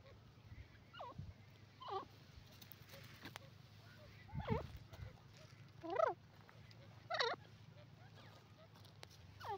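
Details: Grey francolin, known locally as dakhni or sindhi teetar: loud looping whistled notes bending up and down, given in separate bursts every one to two seconds, over a steady low hum.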